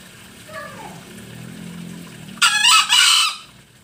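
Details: Green junglefowl from Bali, Indonesia, recorded as a lure sound: one loud, harsh two-part crow lasting about a second near the end, preceded by faint descending notes and a low background hum.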